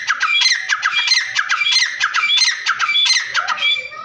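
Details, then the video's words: Two Iranian grey francolins, known as teetar, calling loudly indoors in a fast dense series of harsh, ringing squawks that overlap and repeat about every half second, fading toward the end. "Teetar ki awaaz"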